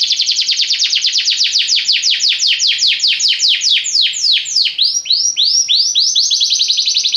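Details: Belgian canary with a long rolling trill of downward-swept notes that slows and becomes more varied, ending in looser, louder sweeps.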